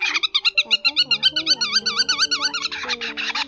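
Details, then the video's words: Whimbrel call used as a lure recording for migrating birds, October 2020: a rapid, rippling series of whistled notes, about seven or eight a second, the pitch dipping and rising, over a faint low hum. "Tiếng Choắt Mỏ Nhác"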